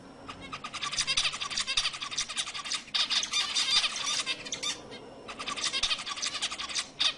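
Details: Zebra finch song meant to stimulate females to mate: dense bursts of buzzy, nasal rasping notes rapidly repeated, with a short pause near three seconds before the phrase resumes.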